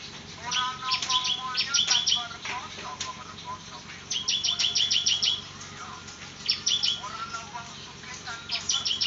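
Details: Bar-winged prinia (ciblek) in lively semi-ngebrem song: quick strings of high, clipped notes in bursts of about a second, with lower whistled trills between them and short pauses, over low steady hum.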